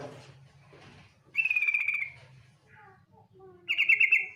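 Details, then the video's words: Female yellow-vented bulbul lure call: two short buzzy, pulsed trills, with quieter thin lower whistles between them and a low rumbling background. "TRUCUK BETINA NGETIR panggilan sadis,pancingan agar BUNYI jadikan burung trucukan BUNYI GACOR"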